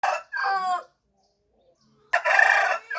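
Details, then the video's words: Rooster crowing in two loud, harsh harmonic bursts: a first call broken into two parts that ends under a second in, then after a silent pause a second strong, rasping call starting just past two seconds that trails into a short tail. "Rooster Chicken"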